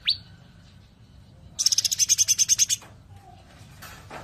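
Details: Sooty-headed bulbul in the "tembakan rapat" (close-fire) song style: a single sharp upswept whistle, a short silence, then a fast buzzy rattle of about a dozen pulses.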